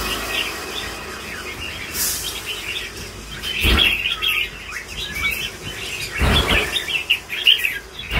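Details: Lân bổi singing from a mature red-whiskered bulbul: quick chattering warbles and chirps, fairly high, strung together continuously, broken by several loud broadband thuds and scraping noises.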